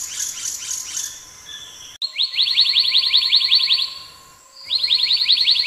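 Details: Black-naped monarch: after softer chirps from another bird, a long fast series of ringing, downslurred notes runs for about two seconds, pauses, then starts again at the same rapid pace.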